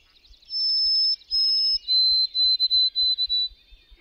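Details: White-throated sparrow (Zonotrichia albicollis) song during spring migration: two long, pure, high whistles, then a slightly lower run of quick repeated triplet notes, like 'oh sam peabody peabody peabody'.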